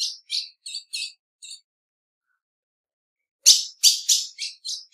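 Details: Female ultramarine grosbeak chipping: a soft run of five high notes, two seconds of silence, then a loud sharp series of six chips fading toward the end.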